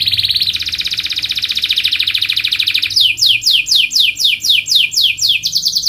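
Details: Canary singing a training song meant to teach young canaries, with a long rapid trill of fast pulses, then a run of steep descending sweeps repeated about four times a second.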